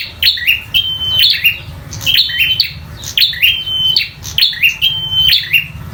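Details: Local bar-winged prinia in a fighting mood, singing loudly: sharp high chirps alternating with short level whistled notes, grouped in repeated bursts roughly every second, with a low steady hum underneath.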